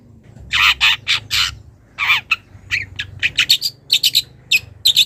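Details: Young wild long-tailed shrike calling a rival. Loud rasping squawks at first, then a quicker run of short, scratchy chips and squeaky notes that grows denser toward the end, with a steady low hum beneath.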